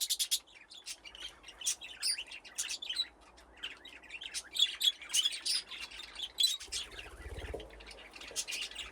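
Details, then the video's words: Budgerigars in an aviary with nesting boxes chatter steadily while playing. Dense, high twittering mixes short chirps with scratchy warbled notes, and a brief low flutter sounds toward the end. "Budgies playing in the aviary"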